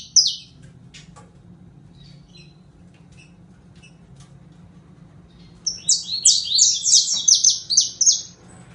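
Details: After a faint opening note and a long near-silent pause, a saffron finch breaks into a fast string of high, downward-sliding notes lasting about three seconds.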